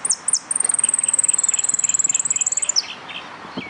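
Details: Competing saffron finch singing at the Nuevo Irupe contest, 22 09 13. A couple of sharp high chips lead into a long, rapid, piercing trill of evenly spaced notes for over two seconds, ending in a downward slur. Faint other chirps follow.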